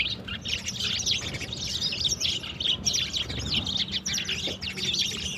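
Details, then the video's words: Morning sparrows at water, a flock chirping continuously in overlapping bright, high tweets with no pause, over a faint steady low hum. "sparrows in the morning| beautiful birds play with water"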